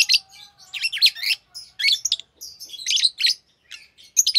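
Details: Green Fischer's lovebird pair singing; continuous busy chatter of shrill, buzzy chirps and squeaks in quick succession with few pauses.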